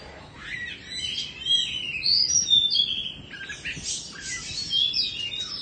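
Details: High, varied warbling from a caged Indonesian Oriental magpie-robin of two seasons: bright whistled notes, rapid twitters and short buzzy trills in quick succession.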